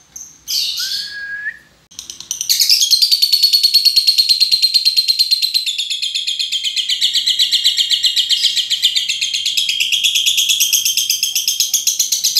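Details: Lovebird in long ngekek chattering, used as a training lure: a squeaky slurred call opens, then a fast continuous trill of harsh high notes runs unbroken for about ten seconds.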